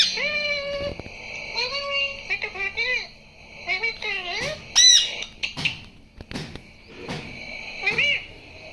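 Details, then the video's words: Pet parrot talking, being taught to speak words like "mitthu mitthu": short, voice-like harmonic phrases with rising and falling tones, broken by pauses, plus a couple of shrill squeaks and clicks. "2 मिनट में अपने तोते को बोलना सिखाए"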